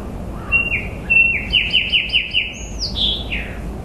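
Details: Clear bird song: a few lead-in notes, then a rapid run of short downward-slurred whistles, closing with a high swooping note that falls into lower slurs, above a constant low background rumble.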